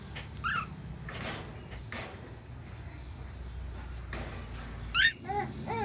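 A pair of budgerigars gives scattered bright, sweeping chirps and scratchy chattering notes a second or so apart, over a low indoor hum.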